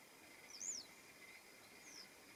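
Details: A Western yellow wagtail during its morning routine, recorded 21 June 2026, gives a thin, high, slurred 'tsweep' note, answered by a fainter second note a second later, over a steady insect-like hiss.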